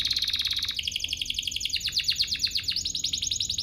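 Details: Provoking song of a canary for other canaries: a fast high rattling trill that drops into a quick series of steep downward-sweeping notes, evenly repeated.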